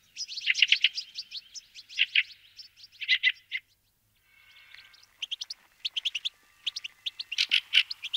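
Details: Fieldfare giving loud rattling chack series, a brief quiet gap, then spaced harsh notes and a final loud chattering burst.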